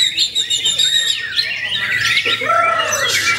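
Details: White-rumped shama, a kept bird from Klaten, delivering a varied run of quick chirps, trills and whistled slurs at high pitch, ending in a clear downward whistle.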